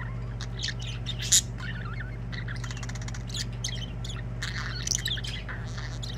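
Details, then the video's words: Budgerigars singing, with rapid buzzy chatter and high chirps, one loud sharp note early on, the rest fairly soft and steady, above a constant low hum. "Budgies singing."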